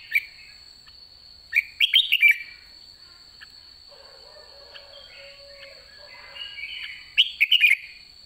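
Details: End-of-season red-whiskered bulbul with white cheeks, said to be 'đã ché': a burst of tumbling whistled notes, a long quiet pause with faint low murmurs, then another quick bright phrase.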